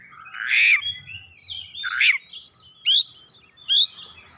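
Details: Oriental magpie-robin (kacer) singing insistently with its learned repertoire: two harsh, slurred rasping notes followed by two crisp, high upward-swept whistles, with faint low hum beneath.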